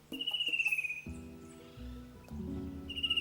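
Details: A Fan-tailed Cuckoo, a familiar call in eastern and southern Australian forests, gives a high, fast, sliding trill that falls gently over about a second and starts again at the end; background music follows.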